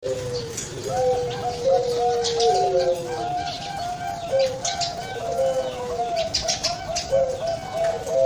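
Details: Zebra dove of the Bangkok type, with a voice praised as thick and soothing: a series of low, mellow cooing notes that slide and waver, some dipping downward, repeated steadily over the clip, with light scratchy background noise.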